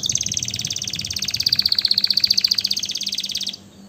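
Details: Canary song: a fast, even trill of rapid notes high in pitch, slowly falling slightly, lasting about three and a half seconds before stopping abruptly, with a faint low hum behind.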